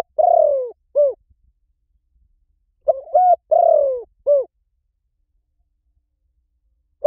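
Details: Mellow, falling coos from a spotted dove on a lure recording, two phrases of stuttered hoots and a long sinking note, separated by a silent gap of over a second.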